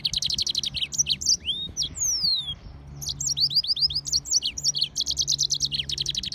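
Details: Song of a Mozambique serin (yellow-fronted canary) crossed with a canary: rapid trilled phrases of high, repeated notes alternating with long, falling whistled slides and short pauses.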